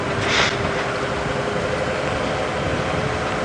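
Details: A steady vehicle engine rumble with a brief broadband swish, and no animal voices.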